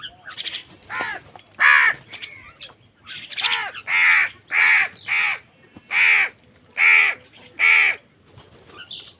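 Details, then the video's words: Crows contest food with strident, raspy caws repeated in quick succession, about one every half second after a scattered opening. "কাকের ডাক Crow Sound Crow ki Awaz Loudly | Crow bird Fight for Food"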